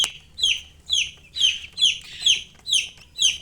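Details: Baby chicks chirping: high, bright peeping notes, each sliding downward, repeated steadily about twice a second, clean with little background sound.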